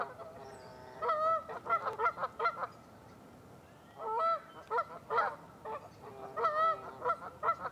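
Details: Canada geese on Lacamas Lake, Washington, USA, on a February morning in 2012: bursts of nasal honks from several birds, a brief lull, then renewed overlapping honking.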